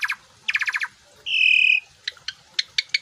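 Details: Asian pied starling, puffing up, sings an imitation-laden song: a dry rattle of five or six notes, a held pure whistle about half a second long, then spaced sharp clicking notes.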